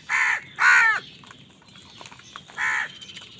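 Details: During a fight with other birds over food, a crow gives two harsh caws in quick succession, the second longer and louder, then a third after a short pause.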